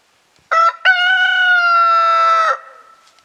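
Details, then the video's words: A newly acquired rooster crowing after preening, on 24 March 2026 with snow after days of snowfall: two short clipped notes, then a long, loud, steady harmonic note held about two seconds before dropping off. "Rooster Crowing"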